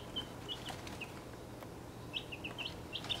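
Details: Six 1.5-week-old chicks in a travel box, including Welsummer, Crested Cream Legbar, Partridge Plymouth Rock, Australorp, Buckeye and Golden Laced Wyandotte, give short high peeps, scattered early and then bunched near the end, over a low steady hum.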